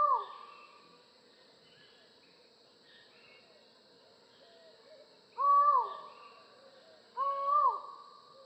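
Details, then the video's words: Hollow, human-like 'ow' calls of a Collared forest falcon: one note fading at the start, a long quiet stretch with faint birds, then two strong, downslurred hoots under two seconds apart. "Falcon Call Video: Collared Forest Falcon Bird Sound"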